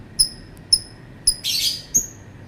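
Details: Lovebird giving three thin, sharp high chirps, then a brief harsh squeal and one more bright chirp.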